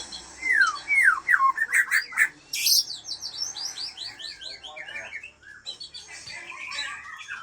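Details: White-rumped shama of the Aceh type, an original breeding bird from Lamteuba, singing loudly: rapid falling whistled slurs, then dense buzzy and chattering phrases run together, varied and continuous, fading slightly toward the end.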